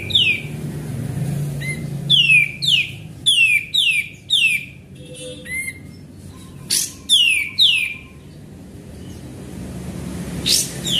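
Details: Sooty-headed bulbul singing steadily as a lure: bright, sharply falling whistles in quick runs of three to five, brief pauses between runs, a faint low tone and light hum behind.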